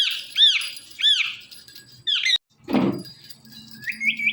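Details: Pet Indian ringneck parakeet giving two loud arched screeches, a brief chatter, a rustling noise, then soft repeated rising chirps.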